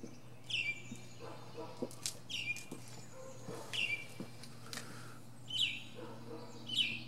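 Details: A northern mockingbird performs from a pine treetop. Short, sharp, down-slurred notes repeat roughly every one to two seconds, mixed with scattered clicks and light rustling.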